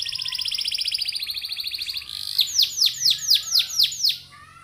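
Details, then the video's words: Canary song used as a lure to get other canaries singing: a fast buzzy high trill of rapidly repeated notes, then a series of loud arched, sweeping whistles about every quarter second. "PANCINGAN KENARI GACOR❗CENGKOK MEWAH GAMPANG DIIKUTI KENARI"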